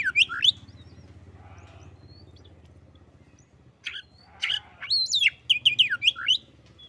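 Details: Oriental magpie-robin answering a rival that was slow to sing: sharp swooping whistles at the start, a quiet gap, then a lively run of varied whistled and buzzy notes near the end.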